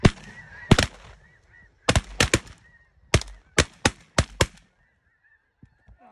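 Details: Mallards in a dry field in Canada give loud, harsh quacks, about ten short blasts in uneven bursts, over faint background chatter of other waterfowl.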